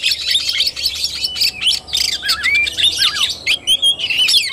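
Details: Kacer tarung singing by an Oriental magpie-robin, 17 August 2021: busy twittering bursts broken by looping, slurred whistles and quick upward-sweeping notes.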